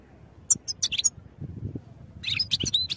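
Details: European goldfinch song for training: two short bursts of very high, tinkling twitters and thin whistled notes separated by a brief pause, over a soft low rumble.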